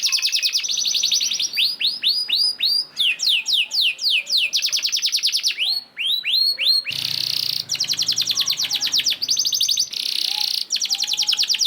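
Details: Canary lure song played to get other canaries singing, a continuous 'gacor' song with long 'ngerek' rattles: rapid high downslurred notes and looping phrases, then a dense buzzy rattling trill with a faint low hum beneath.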